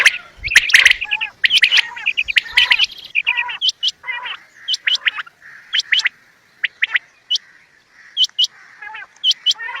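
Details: Quail (bater) calling, linked to bird hunting: an opening flurry of overlapping chirps gives way to separate, spaced bright upswept notes and short chirp groups with quiet gaps.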